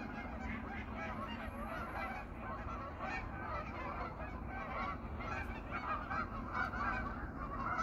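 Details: A wintering flock of 500 to 800 geese settling on a pond at evening in autumn: a thick wall of honks and nasal calls, some clearer ones rising near the end, over low rumble.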